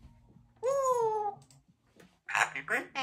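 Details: Female Congo African Grey Parrot, a talkative pet living in a country home, chattering. A drawn-out, harmonic, slightly falling vocal sound is followed by a pause, then a burst of rapid, speech-like syllables.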